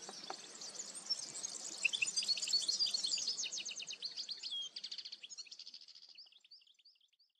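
A goldfinch gives a fast, high, tinkling twitter of jumbled notes that slows into a run of quick repeated chips and fades out. Faint background hiss.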